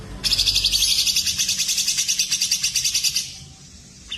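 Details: Grey-cheeked bulbul, cililin and canary tutoring mix: one sustained, very fast trill of buzzy high notes lasting about three seconds, then quiet before a new note begins.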